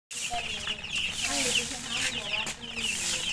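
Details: Newly hatched coloured chicks chirping with thirst for drinking water: a dense chorus of many high, shrill peeps overlapping continuously, with some lower clucking tones and a voice speaking in the background.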